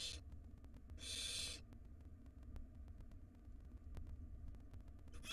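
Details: Wild barn owl nestlings being fed in a nest box; a single harsh hissing screech of about half a second, then quiet hum with soft clicks, another screech beginning at the end.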